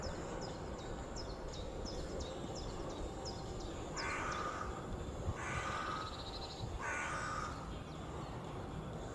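Three harsh, hoarse caws from a carrion crow about a second apart, after a small bird's thin, high chips repeating quickly over a low rumble of wind.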